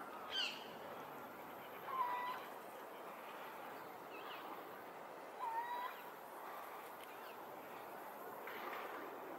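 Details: A male little owl at the Serpentine Gallery calls to his mate and one owlet in a nearby tree: two mellow, whistled hoots, each rising then dipping, about three and a half seconds apart, over steady hiss; a brief high chirp opens.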